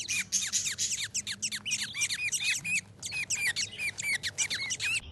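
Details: Happy pet budgerigars calling: a rapid series of short, sharp chirps, each sliding quickly upward, repeated many times a second in bursts with a brief break near the middle, with a faint low hum beneath.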